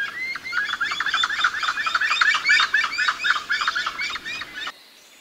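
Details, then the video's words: Gray-headed chachalacas recorded in Costa Rica on trips in January or October 2021, giving a dense, busy chorus of harsh clucking and chattering notes, several birds overlapping rapidly for about five seconds before it cuts off. "GRAY HEADED CHACHALACA"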